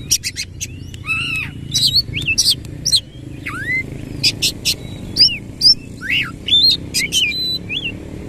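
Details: Oriental magpie-robin singing with harsh fill-in notes while fanning its tail: spaced clear whistled downslurs and upsweeps mixed with sharp chips and clicks, more sparse than continuous, soft background rumble.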